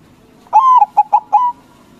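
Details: White zebra dove giving loud song to prompt rivals to answer, one phrase of a long gliding coo, three brief separated notes and a final level coo, delivered cleanly over faint background hum.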